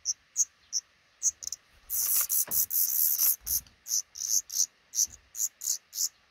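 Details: Black redstart pair with five chicks at a nest over a front door during hatching; repeated shrill high peeps, interrupted midway by a loud hissing rustling burst, then peeps resume in quick succession.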